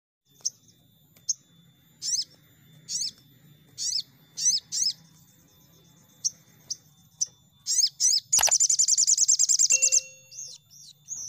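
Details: ['Crimson sunbird lure recording meant to make birds sing quickly: sharp high chirps repeated irregularly, then a fast buzzy trill near the end, over a faint low hum.']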